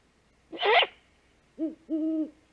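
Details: Female great horned owl returning to the nest at 5:41 am on 3 March 2018, giving the food call while watching the male hunt: a short harsh, rasping squawk, then two low, mellow hoots, the second drawn out and even.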